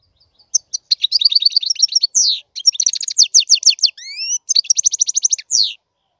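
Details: A European goldfinch delivers tinkling runs of rapid high chirps broken by slurred buzzy notes, with a pair of clear rising whistles midway before more quick twittering; quiet, clean background.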